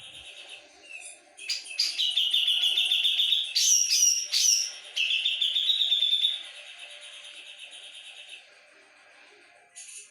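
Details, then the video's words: Javan brown-cheeked bulbul in loud, lively song: a long flowing stream of high, slightly buzzy trilled phrases with sharp accented notes in the middle, then a quiet pause and a final short burst. "Cucak jengot gacor volume tembus"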